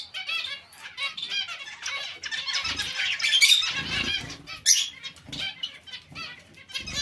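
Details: Many zebra finches in a mixed finch colony chattering at once: a steady wash of quick, overlapping harmonic call notes, densest around three to four seconds, with soft fluttering of wings underneath.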